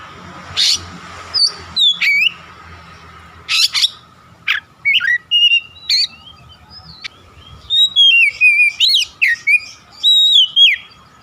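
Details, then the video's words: Varied, busy song of an Oriental magpie-robin (kacer), used to prompt other magpie-robins to sing. Harsh rasps and sharp chips open the song, which builds into dense bursts of quick, warbled, slurred whistles. "SUARA PANCINGAN BURUNG KACER AGAR BUNYI DAN GACOR"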